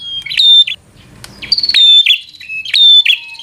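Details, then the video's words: Bar-winged prinia singing to provoke a rival to fight: three loud, piercing, slightly buzzy high phrases, each ending in a lower trill, with a soft rustle between. "Prenjak Gacor Full FIGHTER Bikin Prenjak Jadi Emosi Lawan"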